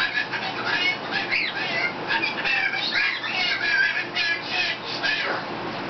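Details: Pet black lory, a female about 19 months old, cleaning a person's face indoors, giving continuous harsh chattering squawks and raspy calls at close range while the owner talks.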